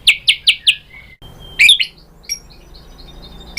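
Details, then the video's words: White-rumped shama singing to provoke other birds: four quick sharp downslurred whistles, a short pause, then a brief burst of varied notes followed by faint scattered high notes over low background hum. "Bikin GACOR ‼️ MURAI BATU jadi EMOSI NYAUT BONGKAR ISIAN ¦ PANCINGAN MURAI ¦ SHAMA BIRD"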